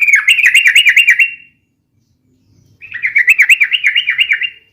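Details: Sooty-headed bulbul song for lure-calling and tutoring, described as long and rapid: two clean runs of evenly repeated wavering, bouncy notes, each about one and a half seconds, split by silence.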